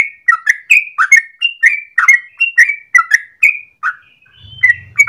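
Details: Yellow-vented bulbul singing its long ropel song in the morning, meant for luring or tutoring birds: rich warbling whistles in rapid succession, a brief lull near the end, and a faint low hum underneath.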